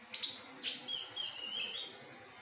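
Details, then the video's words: Anis teleng thrush in melodious song: a quick run of high clear whistles and rapid warbled notes, phrases rising and falling in close succession, with soft low background noise. "Burung anis teleng suara merdu"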